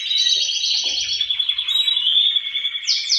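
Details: Male canaries singing together, a sustained high whistled tone with fast trilling beneath and a couple of sharp rising notes at the end; faint low knocks in the background.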